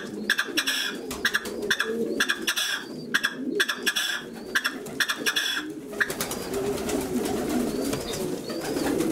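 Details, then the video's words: Male red-legged partridge singing a rhythmic series of grating, chuckling pulse bursts for about six seconds, then falling quiet while low cooing and faint high squeaks carry on behind. "Perdices roja cantando"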